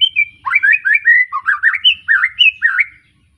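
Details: Young white-rumped shama, just out of juvenile spotted plumage, in a loud, rich run of varied whistled phrases, rising and falling notes tumbling quickly one after another for about three seconds.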